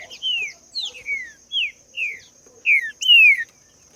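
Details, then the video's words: Green-winged saltator in the wild, with evenly spaced, clear whistled phrases falling in pitch and the last two louder, over a faint continuous high tone. "SOM DE TRINCA-FERRO AO VIVO NA NATUREZA"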